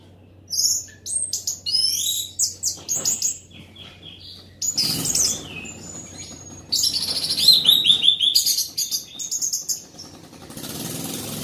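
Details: Orange-headed thrush singing loudly in captivity: rapid, varied phrases of sharp whistles, chatters and mimicked-sounding notes in uneven bursts, with a thin sustained whistle and a low hum in places.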